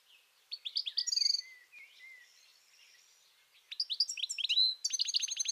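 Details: European goldfinch singing by the Tajo river at Aranjuez, Madrid, Spain: fast, tinkling twittered phrases of bright liquid notes. A quieter buzzy stretch falls between two rapid bursts.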